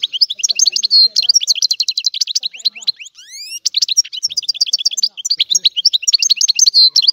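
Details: Sicilian European goldfinch singing an old-style song used as a lure; rapid continuous twittering of high, sharp notes and trills with a brief rising buzzy sweep mid-phrase, clear and without background noise.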